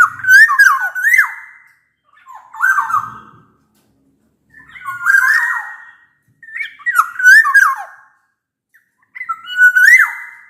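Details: Black-naped oriole singing loudly, meant to prompt silent orioles into song: five clear, bamboo-flute-like whistled phrases, each swooping up and dropping sharply, separated by brief pauses, faint low knocks between.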